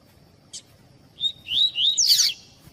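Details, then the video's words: Double-collared seedeater singing a tui-tui style tutor song used to warm up and train captive birds. A faint click comes first, then a short phrase of rising whistled notes ends in a louder buzzy, sweeping flourish. "COLEIRO TUI TUI PURO CANTO TUI TUI PROFESSOR CANTO COLEIRO TUI TUI PARA ESQUENTAR COLEIRO TUI TUI"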